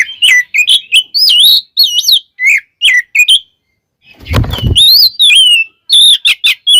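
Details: Oriental magpie-robin song, used as a lure to make other magpie-robins sing: rapid, varied whistled and chattering notes, broken once by a loud low thump, then more bright whistled phrases.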